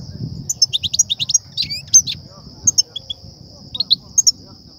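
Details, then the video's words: Goldfinch song, European goldfinch, of the 'btbta' and 'ststa' type meant to excite and lure the birds for trapping; a fast string of bright repeated chips with a slurred note, then spaced twitters, above a steady high whine. "بتبتة وستستة لتهييج و صيد الحسون"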